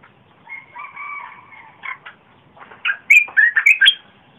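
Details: Red-whiskered bulbul, 30 April 2021, a rich song used as a lure for wild birds and a lesson for young birds. Two drawn-out steady tones, a few short notes, then a rapid cluster of bright, bouncing whistles.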